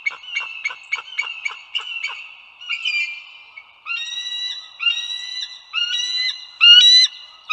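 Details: Bald eagles at the Dulles Greenway in northern Virginia, USA, recorded 16 April 2022 at 08:55: quick staccato chirps at first, then long, harmonic-rich rising whistled notes repeated about once a second, over a steady high tone.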